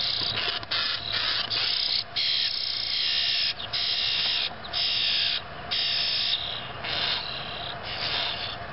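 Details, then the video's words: 5 "Baby Grackles"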